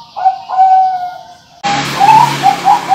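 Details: Bangkok-type large-voice zebra doves kept by Indonesian breeders, compared for contest quality: two drawn-out mellow coos, then after an abrupt cut a rapid series of short rolling coo notes over a hissy background.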